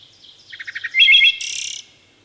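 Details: Wood thrush singing: a few soft low introductory notes, then a rapid series of clipped pulses, a bright fluting phrase, and a high buzzy trilled flourish, all within about a second and a half; quiet background.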